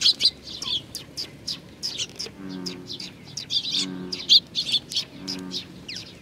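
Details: Sparrows arriving to be fed at a Tenmangu shrine, Nakanoshima, Japan, 21 June 2020: bursts of high chirping, while low pigeon coos sound three times in the background.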